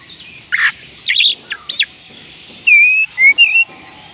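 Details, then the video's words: Oriental magpie-robin song used to prompt lazy birds to sing: buzzy high notes in short bursts, followed by three long, pure whistled notes, each slightly wavering. "oriental magpie robin kicauan Kacer panggilan Kacer malas bunyi"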